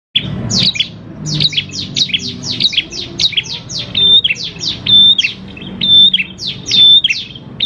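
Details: Prinia singing vigorously, a lure recording meant to prompt other prinias to sing: rapid runs of sharp, high chirps, about one per second, broken by a few clear level whistles.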